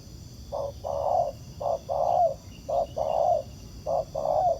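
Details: Wild spotted dove cooing strongly toward a ground decoy during trapping, pairs of a short hoot followed by a longer slurred coo repeated four times in quick succession, loud and close, with light background hiss.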